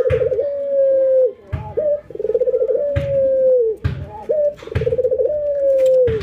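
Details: Albino white and local ringneck doves during routine training, nodding and laughing: three cycles of a quick bubbling trill followed by a long, drawn-out coo sinking at its close, evenly spaced with soft thumps.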